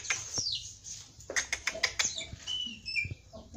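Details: Javan pied starling, 'gacor full isian' song: high thin squeals, a rapid run of sharp clicks, then short whistled notes, fairly quiet.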